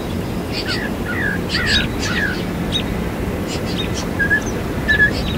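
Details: Northern mockingbird singing while mimicking other birds; varied short whistled and slurred phrases, some repeated in pairs, over steady low background rumble.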